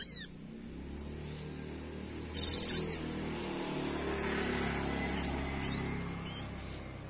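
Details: Female Oriental white-eye calling to a male: short, high, thin chirping notes in a few quick bursts, with a brief louder burst near the start and light background hum.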